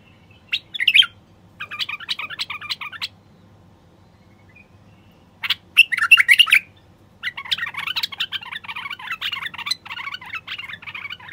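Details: Male bulbul singing to stimulate silent wild bulbuls to sing and mate: bursts of chattering, warbled phrases separated by short pauses, with a steady faint low hum underneath.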